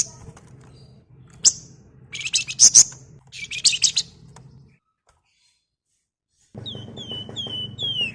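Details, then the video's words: Javan fulvetta (wergan jawa, flamboyan) singing steadily in the ngebren style, kept as a lure for flock birds: bursts of high chirps, then a run of short falling whistled notes over a low background hum. "BURUNG WERGAN JAWA GACOR NGEBREN COCOK JADI PANCINGAN OMBYOKAN"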